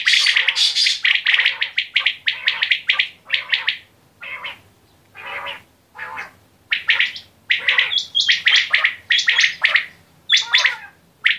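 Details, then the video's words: Quail giving rapid runs of short, harsh, broadband chirps, some bursts stuttering, with brief pauses between groups and a few higher whistled notes near the end. "Batair ki Awaz 💥| Quail Sounds Original👌 | بٹیر کی آواز"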